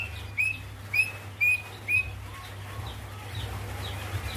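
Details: Greater green leafbird female calling to a male, giving four clear, sharp upslurred whistles about half a second apart, then quieter distant chirps over a constant low-pitched hum.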